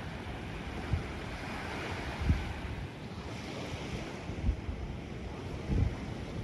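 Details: Surf washes steadily while wind buffets the microphone in low thumps, and no animal voice is present.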